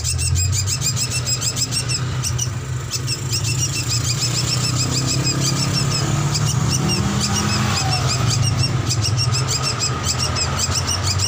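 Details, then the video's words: Master recording of a drongo used as a lure for training birds: dense, quickly repeated high chirps about three per second, briefly pausing midway, accompanied throughout by a loud steady low hum. "Masteran Paud Srigunting Ampuh Buat Pancingan Dan Dijamin Cepat Bunyi"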